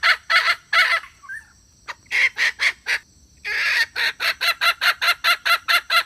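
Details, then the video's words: Calling hen used to lure birds into a trap, 2021. Raspy clucks come in quick bursts, then settle into a steady, even series at about two or three per second. "เสืยงไก่แม่ร้องต่อเข้าดีมากsuab poj qaib seev zoo cuab heev"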